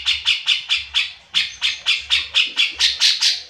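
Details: Cucak jenggot (grey-cheeked bulbul) singing: a fast, rhythmic run of about twelve rasping, chattering notes, each sharp at the start and then fading, delivered steadily with a slight low hum underneath.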